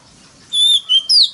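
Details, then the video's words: Oriental magpie-robin competitive song used to lure rivals; after a quiet start, three clear whistled notes, a level one, a lower slurred one and a final loud downslurred whistle. "choè than mồi kích bổi đấu GIỌNG CỰC TO"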